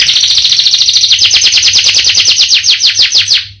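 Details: Canary singing in full voice with a long roll and a rich repertoire: a rapid series of high, downward-sweeping whistled notes, about three per second, bright and even, that fade out at the end.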